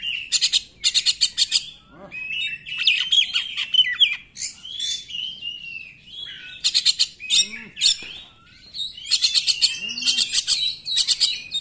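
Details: Oriental magpie-robin singing vigorously as a lure for silent magpie-robins; rapid rattling bursts of buzzy notes open and close the passage, with a long stretch of wavering, slurred whistles between.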